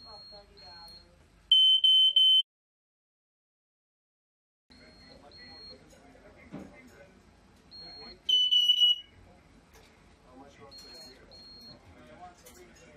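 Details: Pet African grey parrot at a home in Daventry, Northamptonshire, England, imitating a smoke alarm so well that firefighters came: two loud, shrill, steady electronic beeps, with softer high chirps and people talking in the background.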